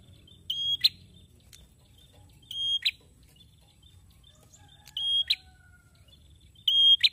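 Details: A male prinia sings at moderate distance, repeating a high, even whistle that snaps into a short harsh chip about every 2.4 seconds. Faint low hum runs underneath.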